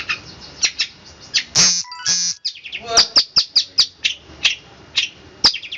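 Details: Long-tailed shrike singing in the fast, tightly packed 'roll speed rapat' style: sharp high chips and short buzzy bursts in quick irregular succession, with a brief low harmonic interruption near the start.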